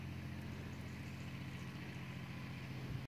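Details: Steady low engine-like rumble with broadband noise throughout and no animal voice heard.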